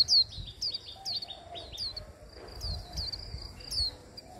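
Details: Hand-held Japanese white-eye being stimulated to sing; rapid high, thin descending slurred notes in quick bursts, bright and twittering, over low background rumble.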